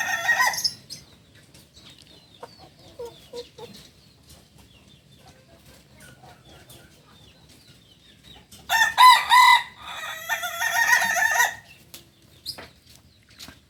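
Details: Native Solok, West Sumatra chicken of the Kukuak Balenggek breed. A crow ending at the start, a long quiet gap with faint sounds, then a loud crow of several broken, tiered phrases nearly three seconds long.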